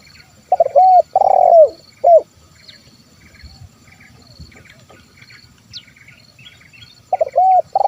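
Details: Spotted dove, 'kuk 1' song used as a lure for wild birds: a double coo, a long burring coo and a clipped note open the passage, a quiet gap follows with faint high chirps, then another double coo.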